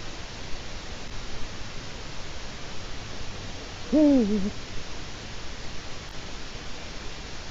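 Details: Eurasian eagle-owl on a Latvian webcam, 4 March 2018 around 16:06; a single short hoot that drops in pitch, rising out of steady low rumbling background noise.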